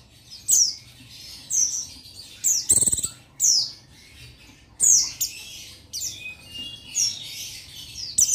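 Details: Male buxtoni Oriental white-eye calling to a rival, used to provoke other males into singing, recorded 15 July 2021; thin, high downslurred chirps repeated roughly every second, with one sharp clattering burst midway.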